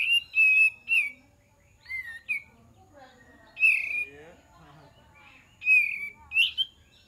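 Cream-vented Bulbul giving short bubbly, whistled phrases with rising and falling slurs in bursts every second or two, with quiet pauses between.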